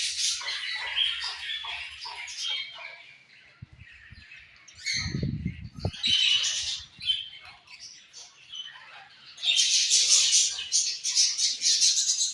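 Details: Colorful budgerigars chattering in a group: dense, scratchy high warbling and chirps, a brief low thump midway, then a loud burst of overlapping chatter near the end.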